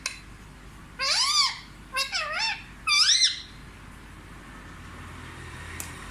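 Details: Pet Indian ringneck parakeet, raised indoors and said to speak Hindi words such as 'mummy' and 'papa', giving three loud, harmonic, screechy utterances that swoop up and down over about two seconds in a quiet room.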